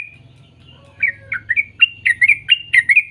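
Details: Sooty-headed bulbul recording used to get young birds singing: after a quiet second with low hum, a series of short liquid whistled notes, some rising, some falling, quickening toward the end.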